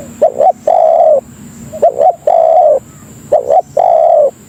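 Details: Spotted dove (tekukur) calling to attract other doves: three phrases, each a hurried double note then a sustained even coo, spaced about a second and a half apart, soft hum behind.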